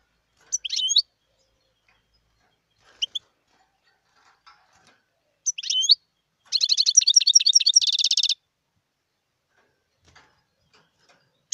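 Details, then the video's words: Wild European goldfinch, recorded in 2018: short bright twittering notes at intervals, then a fast buzzy, rattling trill of about two seconds, followed by scattered faint chirps. "صوت الحسون البري"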